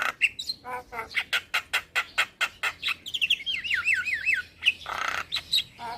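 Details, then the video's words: Young male black-winged myna song for tutoring and calming stressed mynas: quick run of dry clicks and chatters, then a looping wavering whistle, a harsh rasp and further clicks. "Jalak Kebo Jantan Muda Gacor PAs Buat Masteran dan terapi Burung Jalak Stres"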